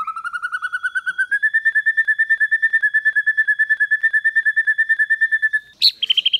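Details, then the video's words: White-rumped shama training song in the 'kéo thuốc lào' and 'giọng dây' styles. A long, fast, even trill of repeated whistled notes rises slightly and holds steady for over five seconds, then ends in a brief burst of higher notes. "Luyện chòe lửa hót hay mỗi ngày ❣ kéo thuốc lào ❣ hót giọng dây"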